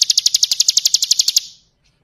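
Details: Bar-winged prinia, ngebren style, sung as a training model for other birds: roughly sixteen sharp, high, evenly spaced chips packed into about one and a half seconds before the song stops abruptly.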